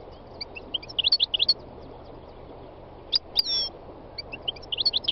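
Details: A wild European goldfinch twitters in short, bright bursts of high chirping notes, with a quieter gap in the middle and a brief sliding note, over low steady background noise.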